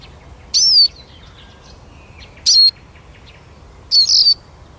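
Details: Eurasian siskin giving three loud, high whistled notes that slide downward, spaced about one and a half seconds apart, over faint low background hum.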